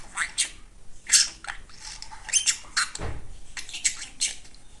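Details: A male pet budgerigar sits in the morning sun and chatters in rapid, scratchy, high-pitched bursts. He is talking, imitating Russian human speech such as his name and "pretty boy", before napping.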